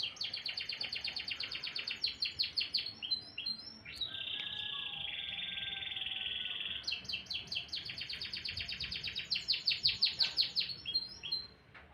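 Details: Canary singing in the morning, a loud fast trill of repeated high notes, a long buzzy held tone in the middle, then another run of rapid rolling trills.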